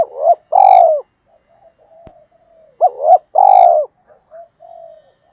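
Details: Spotted dove kept as a decoy, its cooing meant to draw in wild doves: short hooked notes leading into a loud, drawn-out low coo, repeated twice with soft murmurs between phrases.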